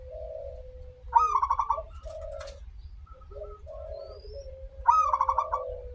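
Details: Local zebra dove song with a long opening, used as a lure to make doves sing: two staccato bubbling coo-trills several seconds apart, separated by soft lower hooting notes and a sustained low tone, over steady rumble.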